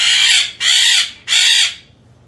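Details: One of a breeding pair of yellow-collared macaws (Primolius auricollis) gives three harsh, raspy screeches, each about half a second long, in quick succession against a quiet background.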